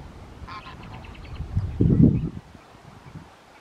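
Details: American flamingo (Phoenicopterus ruber) at a lagoon fish farm on 21 May 2022 gives a short run of nasal, goose-like honks, followed by a loud low rumbling thud and a quieter background.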